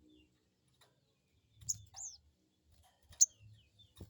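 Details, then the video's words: Crested jay giving crecet calls, used as a lure to make a wild-caught bird answer: a few short, high, sharp chirps and one arched downslurred note, separated by quiet gaps, with faint low rumble underneath. "Crecet crecet,,pancingan burung sogon bahan"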